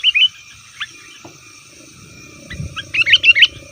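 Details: Sooty-headed bulbul giving a rowdy call used to lure wild bulbuls in forest and set caged birds answering; two quick bubbly chirps open, then after a quiet stretch a fast run of five warbled notes, over a low rumble.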